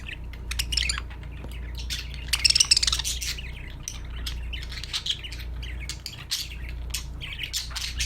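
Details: Happy pet budgerigars chirping and singing: a busy stream of bright, high twittering chirps and short warbles overlapping throughout, with a steady low hum underneath.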